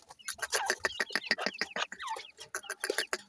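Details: A crowd of caged grey francolin chicks offered for sale in Multan keeps up a busy chorus of shrill, slurred chirps and peeps, overlaid by rapid clicking and tapping noises.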